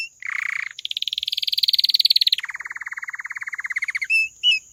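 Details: Canary delivering a buzzy low roll, then a long fast high trill that drops into a lower rattling trill, finishing with two short whistled notes over a steady high background tone.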